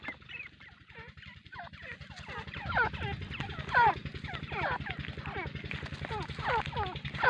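Grey francolin calling in a fast, harsh, chattering run of falling notes that grows louder and busier, over a steady low mechanical hum.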